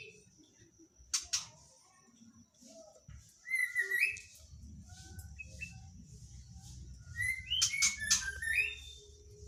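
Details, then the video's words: Common hill myna song, kept natural and used as a lure to prompt other mynas to sing: scattered clear whistles and short rising slurred notes, some high and sharp, with soft low background rumble between phrases. "Pancingan suara burung beo masih alami kicauan burung beo"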